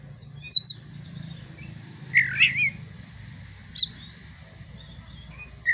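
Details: Song of an Oriental magpie-robin played to draw fighting behaviour: a high sharp pair of notes, a wavering warbled phrase, and a single high whistled note, spaced by quiet gaps over low background hum.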